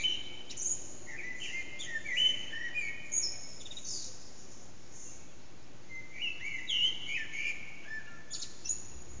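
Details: Eurasian blackbird's early morning song around 4:30am, unseen in an echoing backyard: short, mellow warbled phrases, each ending in a thin, high twitter, a few seconds apart over a steady low rumble.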